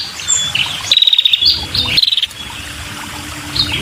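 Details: Female prinia with a red head, calling busily to lure males: high buzzy rattling trills, several overlapping, some in stuttering bursts of rapid pulses, with softer chirps between and faint low background rumble.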